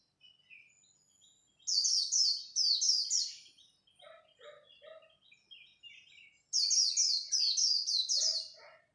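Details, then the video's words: Competing white-eye at dawn delivering khuyên líu song: loud bursts of very high, fast twittering phrases, with softer, lower chirping calls from another bird in the pause between. "Khuyên líu đấu lúc bình minh"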